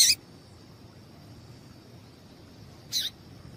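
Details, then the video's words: High chips of a female double-collared seedeater, used to get males singing: one note cut off at the start, then another sharp chip three seconds later over quiet hiss. "Piado de Fêmea de Coleiro para Esquentar Coleiro"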